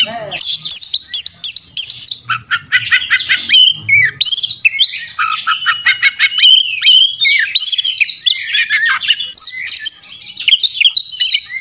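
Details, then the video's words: Oriental magpie-robin delivering an intense, loud fighting song: rapid, varied stream of whistles, harsh chatters, sharp rising and falling notes and rattling trills, almost continuous with short gaps. "masteran kacer tarung ngobra ngotot full isian"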